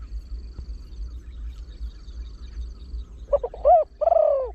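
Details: Trained Spotted Dove with a deep voice, kept to lure wild birds, in the rapid 'khan yon one kuk' cooing style. After a quiet stretch, a few short clipped notes lead into two arched, hoarse coos near the end over low background rumble.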